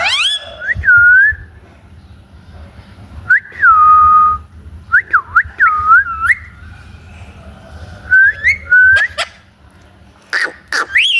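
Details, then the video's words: Parrot calling with loud whistled notes that rise and fall, some with quick upward flicks, in scattered bursts with quiet gaps and a faint low hum underneath. "parrot sound"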